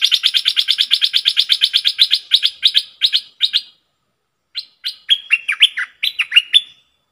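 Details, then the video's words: Decoy bulbul recorded on 22 August 2021. It opens with a fast run of about twenty clipped chirps, then pauses and follows with varied swooping whistled phrases, all high and clean, with no other sounds. "เสียงนกดอกแตงEp.73 นกต่อสายโหด(เจ้ามณี) Suara merbah lekir gacor"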